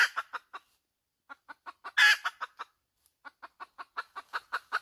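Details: Hen: a few clucks, a pause, then accelerating clucks into a single harsh squawk, followed by a fresh, quickening run of clucks.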